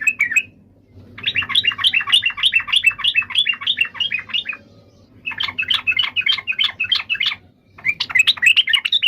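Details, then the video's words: Yellow-vented bulbul delivering long runs of rapid, gurgling chirps, each phrase several seconds long and separated by brief gaps, over a low background hum. "SUARA BURUNG TRUCUKAN"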